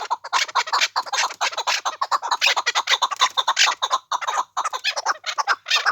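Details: Rapid chuck-chuck calling of chukar in the Pamir, about two raspy notes a second, rising and falling in loudness as the series runs on.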